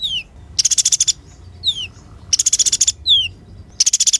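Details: Energetic sunbird song for tutoring songbirds: a thin falling whistle, then a dense buzzy rattle of rapid notes, the pair repeated three times at a steady pace.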